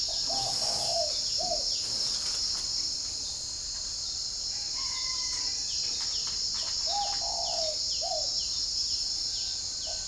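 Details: Spotted dove at a northern Vietnamese dove garden in Ba Vì, Hanoi, cooing in the morning; two soft low phrases, each a brief note, a drawn-out coo and a clipped ending, under a loud continuous insect buzz.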